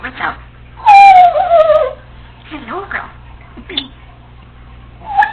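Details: A female Congo African Grey Parrot, kept as a pet, chatters to herself while alone at home. She gives speech-like syllables, then a loud, long descending whistle with a warbling edge, followed by short gurgles and a high squeak.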